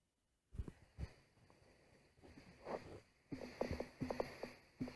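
A female emu gives deep, thumping grunts in uneven bursts, about two or three per second, played back through a small phone speaker.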